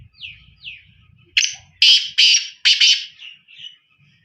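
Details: Black francolin: two soft falling whistles, then a loud run of four or five harsh, rasping, grating bursts, ending with softer trailing notes, over faint low rumbling.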